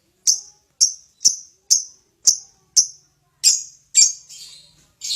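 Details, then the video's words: Lovebird calling to provoke other birds into song; sharp, separate high chirps spaced about half a second apart, followed by a harsher chattering burst. "Lovebird untuk harian pancing bunyi burung lain"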